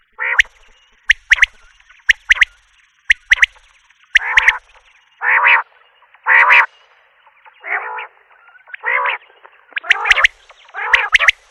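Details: A long sequence from a Common quail alternating crisp three-note clicks with throaty, buzzy blocks, roughly one sound per second.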